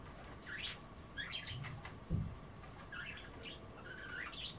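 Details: Domestic budgerigars at bath time, not bathing but nibbling wet kale: scattered short rising chirps and warbles in small groups, with a single dull thump midway and low room rumble.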